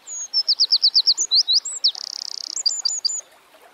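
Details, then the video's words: Eurasian wren (Troglodytes troglodytes) singing in the wild: about ten fast, high notes in quick succession, then a sustained rattling trill and a handful of crisp chirps to finish. "Birds Singing - Eurasian Wren"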